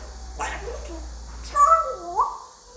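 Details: Pet male African grey parrot, aged five, attempting English words indoors; short voiced syllables then a gliding, falling-and-rising tonal vocalisation, clear against quiet room hum.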